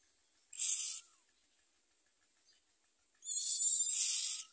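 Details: Common myna young in the nest with their mother: a short harsh hiss, then a longer, rougher, wheezing burst after a pause.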